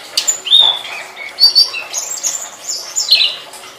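A flycatcher's bright, high song of thin whistles and quick chirps in varied short phrases, rising and falling, over a faint hiss.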